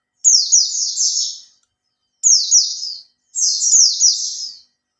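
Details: Oriental white-eye kept caged for three months, singing to draw other birds: three high, rapid chattering phrases of descending notes, each trailing off, separated by brief pauses.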